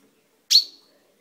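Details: Pet chaffinch kept in a cage, beak newly turned purple, recorded indoors in May 2012: one abrupt, high, metallic chip note, loud at onset and fading within a fraction of a second, in a quiet room.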